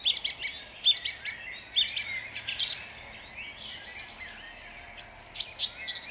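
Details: A song thrush sings at dawn in Jabłonna, 29 April 2021, with crisp clicking and whistled notes in groups, a loud burst near the middle, quiet gaps and renewed high phrases at the end.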